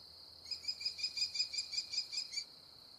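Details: American kestrel calling while eating prey: a rapid run of about a dozen sharp, high, evenly spaced notes over two seconds, set against a steady high-pitched insect drone.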